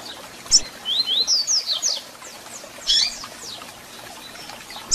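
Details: Double-collared seedeater song with calls, used to fire up a kept bird: a quick run of high, sweeping whistled slurs, a short pause, then another bright burst, over a steady soft hiss.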